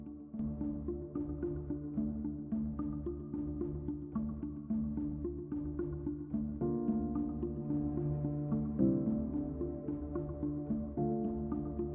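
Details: Steady electronic background music with sustained tonal chords and a pulsing low beat, no animal voices.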